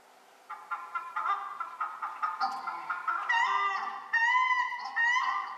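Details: Paradise Shelducks on the Otago Peninsula, New Zealand, duetting: the male's deep honks repeat about once a second, then the female's loud, shrill, rasping calls break in over them.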